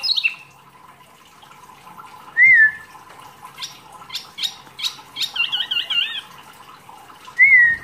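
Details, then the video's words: Wambi, a small kept songbird singing as masteran tutor material for other songbirds: clear, slurred whistles separated by pauses, a run of short sharp clicks, and a wavering warbled phrase in the middle. "wambi mini gacor materi mewah"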